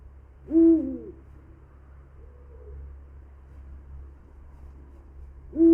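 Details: Eurasian eagle-owl playback heard during a conversation about threatened birds: a deep, short hoot near the start and another at the very end, separated by several quiet seconds with a low steady hum.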